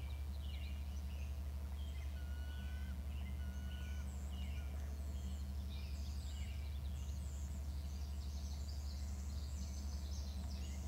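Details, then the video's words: Eagle calling from its nest: rapid series of thin, high chattering notes rising and falling in bursts, growing denser toward the end, over a steady low electrical hum. "calls by eagle in nest"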